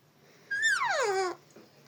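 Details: Parrot talking: one loud, harmonic, voice-like utterance that rises briefly, then slides steadily downward for nearly a second before cutting off abruptly, with quiet surroundings.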